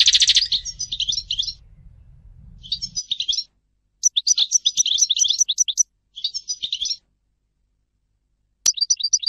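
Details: European goldfinch singing: bursts of rapid, tinkling, twittering notes high in pitch, delivered in phrases of one to two seconds separated by short pauses, with a low hum under the opening three seconds.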